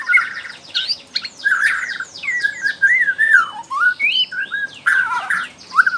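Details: Young wild Bornean white-rumped shama, a forest fledgling used as a song prompt; lively warbling whistled phrases with falling high sweeps and slurred looping notes, delivered almost without pause.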